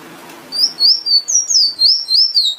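A finch sings a quick run of thin, high, slurred notes, about three each second, each sweeping up then down; a quiet room hush underneath.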